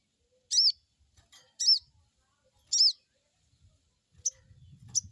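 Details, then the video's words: Crested jay repeating crecet calls as a lure for a captive wild-caught bird: three loud, harmonic, arched chirps about a second apart, then softer high ticks with low rumbling noise toward the end. "Crecet crecet,,pancingan burung sogon bahan"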